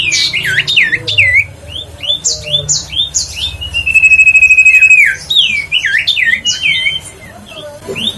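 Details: Huyt co bird, a lure recording for rousing birds to sing: rapid series of curved whistled notes, a sustained buzzy trill near four seconds, then more swooping notes fading toward the end, faint low room hum beneath.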